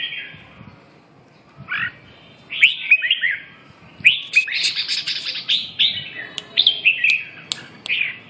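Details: Red-whiskered bulbul giving a series of bright, liquid whistled notes after a quiet start. Phrases are rapid and varied, with scattered sharp ticks and clicks between them.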